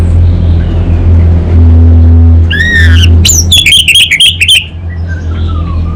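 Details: Orange-headed thrush (anis bata) from North Bali singing vigorously: soft, scattered whistles, then a loud burst of sharp, harmonic notes and chattering trills mid-clip, over a steady low electrical hum.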